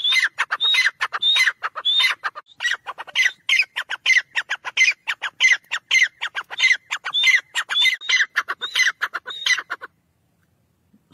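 Grey francolin calling in a loud, harsh, rapidly repeated series of shrill notes, about ten seconds of rhythmic squawking phrases before falling silent.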